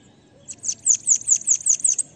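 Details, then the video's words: Bananaquit (sibite cambacica) in pega pega song, recorded for training other birds: a single quick phrase of about eight bright, high-pitched, downward-sliding chirps, accelerating slightly, over a quiet background. "CANTO LINDO DEMAIS PARA ENCARTE DE SIBITE CAMBACICA ( sibite PEGA PEGA )"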